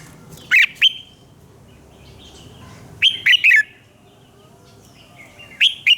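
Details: Red-whiskered bulbul singing in the morning, used as a training voice for kept birds: short loud bursts of two or three sharp, slurred whistles, each burst about three seconds apart, over quiet background hiss.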